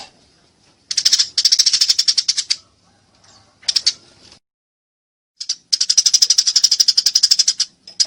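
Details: Eurasian tree sparrows in a fight, calling in long bouts of rapid, evenly repeated high chirps, several seconds each, separated by short silences and one brief burst in between.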